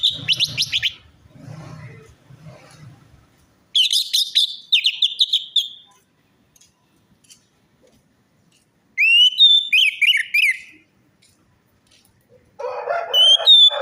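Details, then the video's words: Orange-headed thrush song used as a lure for a bird that will not sing or is stressed: rapid, buzzy-edged whistled phrases in several bursts, with some low rumbling noise at the start and a harsh, dense phrase at the end. "pancingan Anis merah macet bunyi,males bunyi atau stres"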